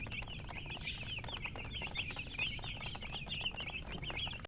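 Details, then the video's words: A group of chicks giving bright, high, slightly falling peeps in quick succession, several birds calling at once above a low steady hum. "Baby "Chicks Chirping" Sound"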